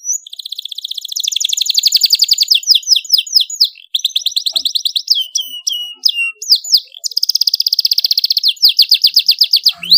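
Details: Domestic canary singing loudly and continuously: rapid high trills repeated about four times a second, alternating with sweeping whistled notes and buzzy rolls, used as a master tutor song for young canaries.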